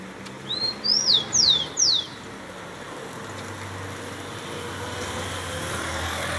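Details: Rufous-collared sparrow singing a phrase of four clear, high whistled notes, the first rising, the rest slurring steeply downward, all within two seconds, followed by quiet background hum.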